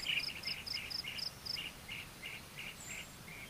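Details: Common kingfisher chick begging while it waits for its mother to return: short, sharp chirps repeat about four times a second, with a steady high insect-like ticking behind them.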